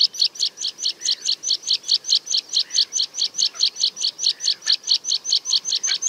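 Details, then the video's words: Meadow pipit (Anthus pratensis) display song during its parachuting display flight: a long steady run of thin high 'tsip' notes, three to four per second, on windy, wide open moorland at Fenns Moss NNR. "Meadow Pipit display song"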